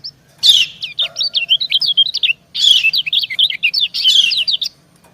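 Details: Female white-eye courting a male with her call: two lively runs of thin, high, zigzagging chirps, each opening with a brighter, louder note.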